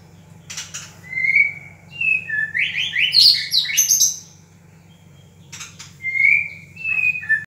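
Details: A White-rumped shama from Ranong, Thailand, sings rich, varied whistled phrases, rising and stepping through several notes, with a short pause before a second phrase; a steady low hum underneath.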